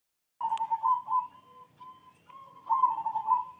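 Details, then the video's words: Zebra dove singing in the morning: soft, rolling cooing trills at a steady mid pitch, two trilled bursts separated by quieter, drawn-out tonal notes, with a single sharp click near the start. "Nyanyian perkutut di pagi hari bikin hati senang"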